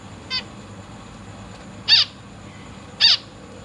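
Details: Caged zebra finch family, parents feeding three newly hatched chicks alongside three juveniles in a large cage, August 2023: three short nasal harmonic calls, one faint then two loud, about a second apart, over a quiet low hum.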